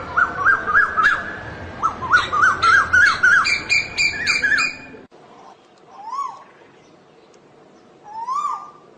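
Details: Asian koel: a fast burst of repeated rising notes mixed with chirps from other birds, then a pause and two slower, upward-swooping whistles.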